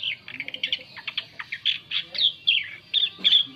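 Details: Softer lure song of an Asian pied starling, sung to attract other birds: a quick babble of chirps followed by a series of short bright whistles, some ending in a small rasp.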